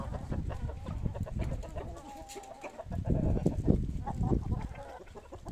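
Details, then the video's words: Domestic chickens at feeding time, a happy moment for the poultry: low, busy clucking and murmuring from several birds, with a brief higher tone near the middle and louder bursts of clucks toward the end. "Τime for food , happy moment for our poultry"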